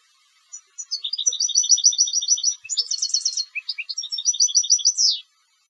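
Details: Competition European goldfinch singing: bright, high twittering with fast runs of clipped notes, a buzzy cluster midway and a final descending slur, on a silent background.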